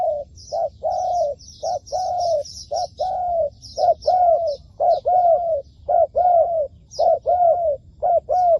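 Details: Spotted dove decoy calling during trapping: steady series of low, mellow coos in short and long pairs, roughly one per second throughout, with faint high twittering of small birds and a soft low rumble behind.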